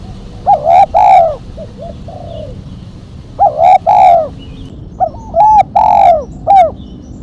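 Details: Spotted dove calling in the sharp 'mercik kuk 1' style, for luring and training birds: three loud phrases of hoarse, rounded coos, each two to four notes with a sharp final kuk, repeated about every two seconds over a quiet background.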